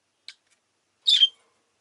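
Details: A single harsh, raspy squawk from a pet rosy-faced lovebird, preceded by a faint short click, otherwise quiet.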